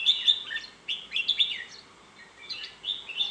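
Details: Red-whiskered bulbul giving clear, lilting phrases of bright, slurred whistles, a few notes per burst, rising and dipping, separated by short pauses; faint hiss behind.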